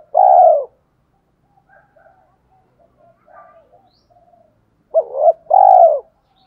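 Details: Spotted dove cooing in the 'thổ pha đồng' voice, meant to stir decoy birds into quick cooing. A long mellow coo opens, soft scattered notes follow, then a full phrase of a quick double note and a sustained coo.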